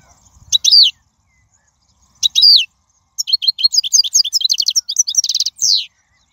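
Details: Song of a wild European goldfinch, described as ideal for teaching chicks: two separate high slurred notes, then a quick tumbling twitter ending in a buzzy trill and a falling slur.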